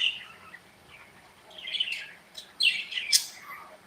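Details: Budgerigars interact in their cozy aviary, giving a run of high warbled chirps that start soft, then build into louder, rasping chatter near the end before fading.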